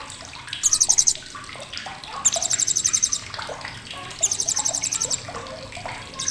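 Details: Sharp chattering of a blue-crowned hanging parrot: three dense, very high buzzy pulse trains, the middle one longest at about a second, set against continuous splashing water-like noise and soft lower chirps.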